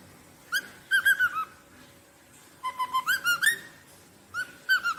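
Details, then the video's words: Rosellas sing clear, bell-like whistled phrases of three to five notes, with short pauses between bursts, over a quiet background. "Som de Roselas Cantando"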